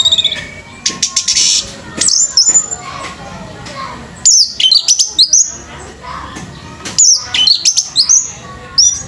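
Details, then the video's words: Competition orange-headed thrush giving three separated bursts of high, quick, scratchy whistles and chirps with short gaps between, set against faint crowd murmur and low background noise. "ANIS MERAH PUNCAK SENI BIRD COMPETITION"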